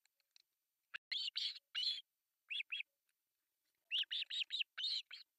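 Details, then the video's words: Osprey chicks, three young on an artificial nest in Pohjois Satakunta, Finland, beg during breakfast feeding on July 1, 2024. Grouped piercing cheeps sound in clusters of three or four, split by short silences. "Breakfast feeding to three osprey babies"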